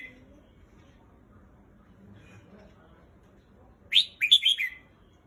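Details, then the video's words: Quiet low hum, then a red-whiskered bulbul breaks in with a brisk phrase of four or five clear, bubbling chirps that rise and dip in pitch. "Bird Singing"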